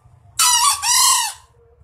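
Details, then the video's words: Green junglefowl rooster crowing in the morning, a bird said to wake people every day: one loud, hoarse two-part crow about one second long, a rasping first burst then a longer falling note, with quiet low rumble beneath. "AYAM HUTAN INI GA PERNAH ABSEN BANGUNIN TIAP PAGI"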